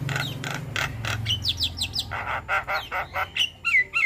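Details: Starling song from a mixed recording of many starling kinds, used to train and prompt caged birds to sing: harsh rasping bursts, then clear upslurred whistles and chattering notes, over a steady low hum.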